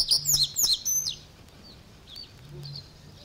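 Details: Common reed bunting in the Matsalu reed beds, Estonia (1979 field recording), gives a quick burst of high, chirpy notes, about a second long, then fainter distant chirps over a quiet background.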